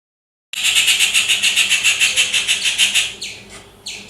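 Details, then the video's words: Rufous treepie in its natural habitat giving a loud, harsh, grating rattle: a fast run of about fifteen rapid raspy pulses over two and a half seconds, then a few short descending squeaky notes. "Rufous treepie bird making loud sounds - ഓലഞ്ഞാലി പക്ഷിയുടെ ശബ്ദം"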